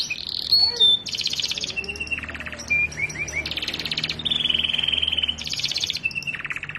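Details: Canary singing continuously, taken from a long master recording meant for teaching other canaries: buzzy high rolls and trills in shifting blocks, a few short whistles and rising chirps between them.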